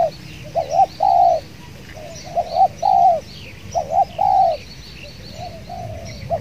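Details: Spotted doves cooing during a decoy trapping session where a very aggressive wild dove lives: paired short coos and long falling coos in repeated phrases, with high bird chirps and insect noise around.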